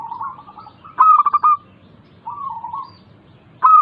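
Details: Local zebra dove song used as a lure to prompt reluctant doves to sing: a soft wavering coo, then a loud stuttering burst of short clipped notes ending in a held note, with the next phrase starting at the end.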